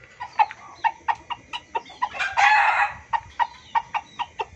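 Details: Junglefowl lure recording for trapping, billed as a loud, busy calling sound: sharp clucks repeated about twice a second, with one harsh, noisy crow-like burst in the middle.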